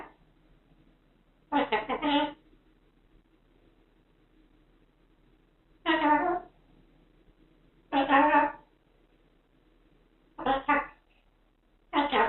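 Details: A pet white cockatoo or corella chatters an invented language built on "Maro-chan" and "Marochaka" in short, speech-like bursts, five phrases under a second each, spaced a few seconds apart in a quiet room.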